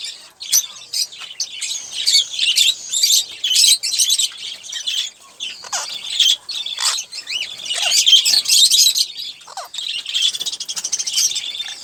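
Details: Olive-throated parakeet, one caged bird, eating sunflower seeds and sipping water; rapid irregular high chirps and squawky chatter, about two a second, mixed with crunching clicks from the seeds.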